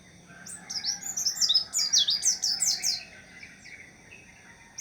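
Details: A high, energetic twitter from a white-eye: rapid sliding notes building into a dense, buzzy-edged flurry, then tailing off into faint thin calls.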